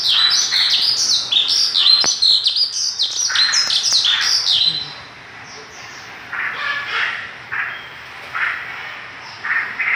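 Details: Energetic Mongolian lark song, a fast run of high chirps, sharp slurred whistles and squeaky notes for about five seconds, then softer scattered twitters over quiet background hiss.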